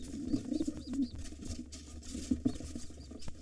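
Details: Wild pigeons at an occupied nest with two nestlings, where a gray intruder fights the white father as he returns to drive it off. Low, soft cooing notes come amid wing flapping, thumps and scuffling in a small enclosed space.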